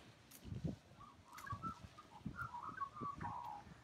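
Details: Australian magpie giving a melodious singing call: short fluting, warbled notes in a steady run, over low bumping and rustling noise.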